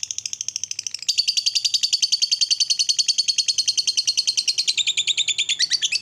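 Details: Lovebird ngekek song meant to make other lovebirds agitated: an unbroken, very fast rattling chatter of shrill high notes lasting several seconds, shifting slightly in pitch toward the end.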